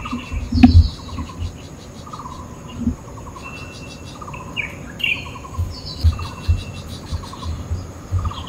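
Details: Taiwan barbet at a window overlooking Badouzi fishing harbour, early morning, late August: short bursts of low, hollow, rapidly pulsed notes every second or so, among higher chirps of other birds and steady insect buzz.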